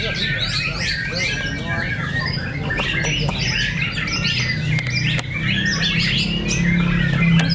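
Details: White-rumped shamas clash in a fierce fighting contest at Cibinong, singing rapid whistles, trills and harsh chatters in dense overlapping bursts over a loud, steady low hum.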